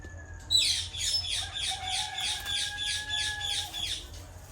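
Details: Parrot calling in a rapid rhythmic train of roughly a dozen harsh, high chirps with downward-sweeping notes, each following closely on the last, over a steady faint low hum.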